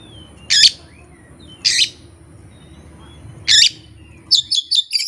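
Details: Oriental magpie-robin, a kept singing bird, with no master tutoring or rival present: three loud harsh rasping notes about a second apart, then a quick string of high chirps, over low background hum.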